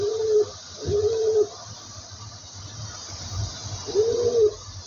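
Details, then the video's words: Pigeon giving three soft, low, level coos, two close together and one after a pause, over a constant low hum and hiss. "pigeon voice sound"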